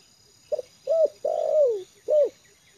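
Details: Trained spotted dove, now comfortable on the ground, giving one cooing phrase: a brief note, a rounded coo, a long falling drawn coo and a short final coo.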